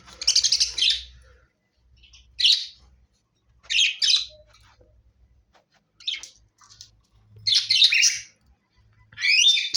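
Budgerigars give bursts of harsh, buzzy chirping chatter, repeated in short bouts every second or two.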